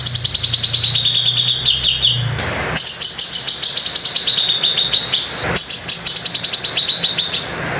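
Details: Bali grey-cheeked bulbul giving coarse 'tembakan' volleys: loud, high, pulsed trills that start higher and drop slightly, separated by two harsh crackling breaks, with a low hum early on.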